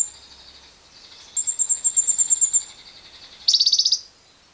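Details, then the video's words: Lovebird long trilling song, kept alongside wild birds and used as a lure to stimulate other lovebirds: a sustained high buzzy trill, then a burst of rapid harsh pulsed notes near the end. "Pancingan JITU Lovebird Bisa Ngekek panjang bersama burung liar"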